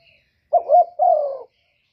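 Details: A single phrase from a spotted dove, a master kuk 1 singer used to lure other doves: a short wavering double coo runs straight into a longer mellow coo that slowly falls.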